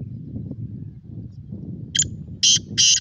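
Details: Black francolin delivering a quick phrase of three loud, scratchy, grating notes at the end, with steady low rumble beneath throughout.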